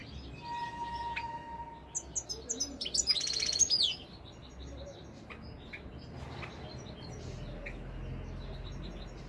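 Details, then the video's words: European goldfinch singing, a 2021 recording: a two-second burst of rapid, high, twittering and tinkling notes rises to a loud peak, then fades into quiet background hiss. A steady whistled tone sounds briefly at the start. "تغريد طائر الحسون الملكي 2021 / jilguero chant chardonneret"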